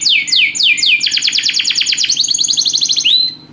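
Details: Canary song with a lively rhythm: a few loud downward-sweeping whistles, then a rapid run of sharp descending notes, a buzzy rolling trill and a final rising whistle fading out.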